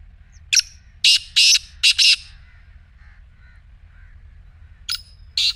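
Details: Black francolin calling, a sound offered to get a quiet partridge to call: a harsh, scratchy phrase of five rapid rasping notes, then faint soft notes of another bird, and the start of a second phrase.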